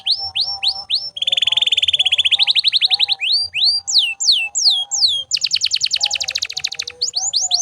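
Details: Canary singing on and on, intended to train other birds: short whistled notes, a long buzzy rolling trill, spaced descending slurs, then a fast harsh rattle. Faint low tones hum in the background.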